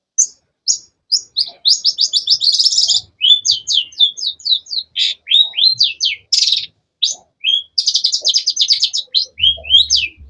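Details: Long-tailed shrike (cendet) singing a fast, energetic series of sharp high chirps, with rapid trills around two and eight seconds and brief varied whistled notes between, loud and close with no other sounds.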